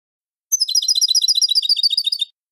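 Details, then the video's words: European goldfinch singing a clean song. A rapid, bright twittering run of about twenty sharp, high notes lasts under two seconds, with no other sounds. "Canto de jilguero limpio al eco"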